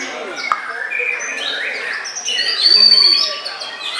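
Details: White-rumped shama in bowing display, a sharp click, then sliding whistles and rising phrases leading to a loud pure sustained high note before the song eases.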